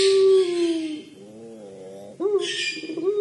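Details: Collared dove, called puter pelung, in crying voice: a loud low coo falling away, a soft wavering middle section, then an abrupt rising stroke into another sustained coo.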